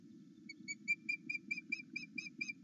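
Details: Wild male osprey at its nest at Loch Arkaig pinewoods, morning between 8 and 9 o'clock, excited at his mate's return: a quickening series of clear whistled chirps, about a dozen, growing louder, over a constant low rumble.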